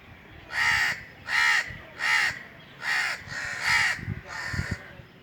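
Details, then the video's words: On a hot summer day an Indian crow perched atop a tree gives five hoarse, grating caws at a steady pace of about one every 0.7 seconds, followed by faint low thumps. "Indian Crows cawing"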